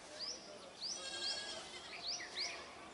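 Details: Group of Brahminy mynas producing a string of bright, upward-flicking whistles, about five in three seconds, mixed with lower buzzy chatter.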